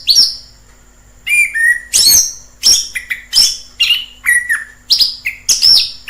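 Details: Song of a wild orange-headed thrush: after a short opening note and a pause, a run of loud, high whistled phrases, several descending, repeated roughly every half second.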